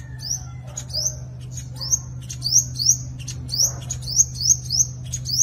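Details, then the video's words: Five-colour sunbird fighting song, used as a decoy for catching wild birds: sharp high upslurred chirps repeated quickly in uneven clusters over a low constant hum. "Tiếng chim hút mật 5 màu dùng đi mồi đánh bổi - Tiếng chim hút mật 5 màu hót đấu"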